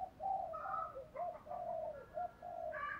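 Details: Spotted doves, male and female, in the 'chiêu ba hậu' song style, used to stimulate other doves to sing: overlapping low, mellow coos in short phrases, with higher chirping birds faintly behind.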